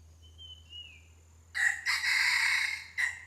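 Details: Red junglefowl crowing during decoy luring of wild junglefowl: a short opening note, a long loud harsh middle section and a clipped final note, after a faint thin whistle from another bird and low background hum.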